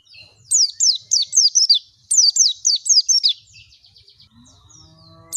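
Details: Lure song of an Oriental white-eye, meant to make other birds open their beaks and sing: two loud bursts of fast, high, descending whistled notes, then near quiet with a faint low hum and one more note at the end.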